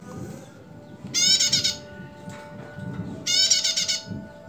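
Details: Female bar-winged prinia calling, used as a lure: two loud buzzy bursts of rapid harsh notes about two seconds apart, over a steady low hum and background noise.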